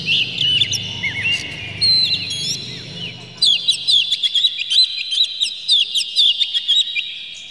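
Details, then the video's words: Agitated Oriental magpie-robin with spread tail singing a full, varied song to provoke rivals into singing. Whistled slurs give way to a fast run of sharp rising and falling notes repeated in quick succession. A low hum fades out early. "dijamin kacer langsung ngamuk2 dengar kacer ini bongkar emosi buka ekor ngobra full isian"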